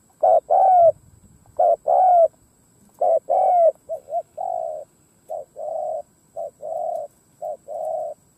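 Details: A spotted dove used as a decoy bird to provoke wild doves gives soft, low, hollow coos: paired rolling notes followed by a run of shorter, evenly spaced hoots, over a faint steady high whine.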